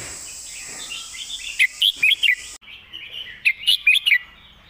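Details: Red-whiskered bulbul master song with elegant phrasing: two lively phrases of four to five crisp, warbled notes, separated by a brief break, over low steady hiss.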